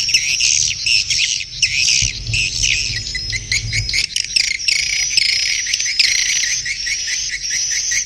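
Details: Mating call of swiftlets: a steady, shrill twittering of many overlapping high chirps with rapid rhythmic ticking, over a faint low hum in the background.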